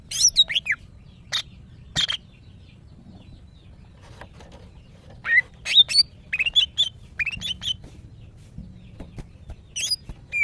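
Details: Female greater green leafbird in breeding condition, calling males: scattered sharp chips and slurred whistles, a pause, then lively clusters of twisting whistled notes near the end.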